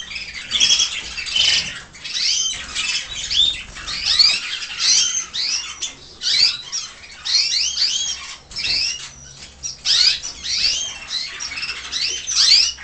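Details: Aviary canary chicks from several nests, some plucked bare by adults and others fully feathered, almost able to eat alone; dense continuous chorus of high, quick rising chirps and twittering notes from many young birds, pulsing in waves.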